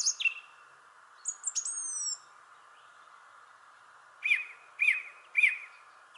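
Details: A thrush in a shrubbery tree sings a high slurred whistle and a short trilled phrase, pauses, then gives three repeated ringing notes about half a second apart, all over a faint steady hum.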